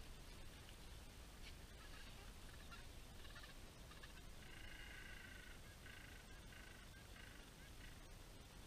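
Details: Gentoo penguins calling at Orne Harbor, where the colony spreads as far as the eye can see. Scattered rough, grating notes lead into a sustained, nasal, braying call with steady stacked tones and short breaks, over constant wind noise.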